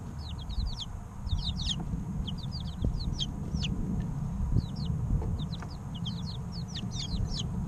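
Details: Busy chorus of three-week-old chicks: dense, high, sharply descending peeps almost continuously, some overlapping, above a low steady hum.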